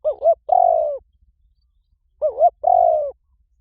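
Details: Spotted dove call for exciting decoy birds into calling fast; two quick phrases of a bouncing two-part coo then an extended, gently falling purr, about two seconds apart, clean and quiet background.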